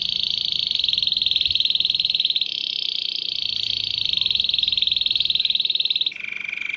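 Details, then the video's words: Canary song said to have drawn dozens of canaries, goldfinches and other wild birds: a long, steady, rapid trill held for about six seconds, then a sudden drop into a lower, softer roll. "تغريد كناري رائع"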